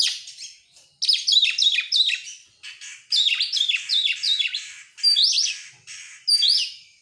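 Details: Oriental magpie-robin singing to draw song from other birds: lively strings of sharp descending whistles and chattering notes in dense bursts, with short pauses between phrases.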